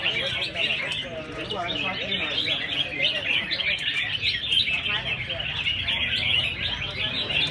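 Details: Caged red-whiskered bulbuls at a singing competition, a qualifying round narrowing 120 entrants to 24 birds; many birds sing at once in a dense chorus of bright, rapid chirps and warbled phrases, with faint background voices.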